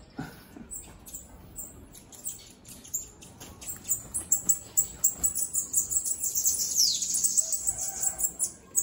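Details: Bananaquit out of its cage: scattered high clicks and ticks build into a dense, shrill buzzing trill with a downward slide in the second half.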